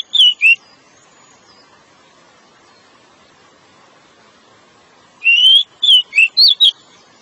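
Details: Decu, the pied bushchat, in ngeplong song meant to lure a female: a quick pair of whistles, a long silence, then a burst of five sweet slurred whistled notes.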